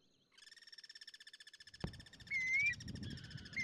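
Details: Guira cuckoos living free in natural surroundings, singing back and forth: a rapid pulsed harmonic rattle runs for about one and a half seconds, then a sharp knock, a thin rising whistle and low rumbling background noise follow.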